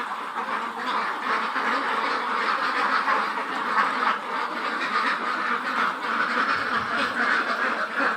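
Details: About 400 Khaki Campbell ducks, aged over 110 days, on a Muktagachha, Mymensingh farm, quacking together in an unbroken, even-volume chorus of coarse, nasal calls.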